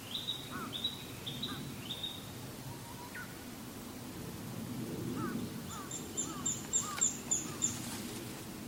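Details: Japanese pygmy woodpecker on 21 May 2016 giving a seldom-heard call of unknown meaning, a few quick, squeaky buzzy notes, with a second one nearby calling likewise; thin rapid high chips from another small bird follow over steady hum.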